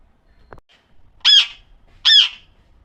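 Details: Pahadi parrot, an Alexandrine parakeet, giving two loud, harsh, buzzy squawks about three-quarters of a second apart, preceded by a faint click in an otherwise quiet room.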